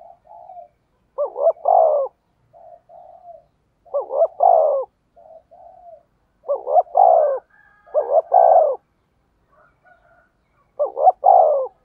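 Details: Spotted dove decoy calling steadily to lure wild doves: five loud phrases, each a wavering double coo then a longer low coo, repeated every two to three seconds, with softer short coos between.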